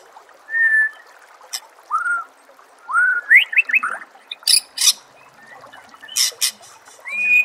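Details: White-rumped shama contest-training song: clear drawn-out whistles and upslurred notes with pauses between, a quick cluster of rising whistles, and loud broad harsh bursts.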